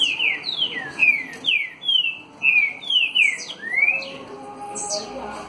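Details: Green-winged saltator (Saltator similis), a kept bird, sings face to face: a loud, rich phrase of clear whistled notes, most sliding downward, about two per second, over a faint low background murmur.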